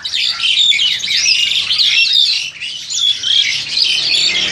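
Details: Farm-raised Crested Myna around seven to eight months old, Indonesia, old Samsung phone recording: lively scratchy chatter with sliding whistled notes, two short lulls near two and a half and four seconds.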